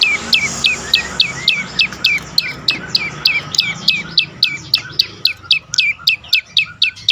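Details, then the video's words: Prenjak lumut prinia singing, used to prompt quiet birds into song: rapid, evenly spaced downward-sweeping chirps, nearly four each second, over a soft background rumble. "prenjak lumut lain makin tergoda berbunyi"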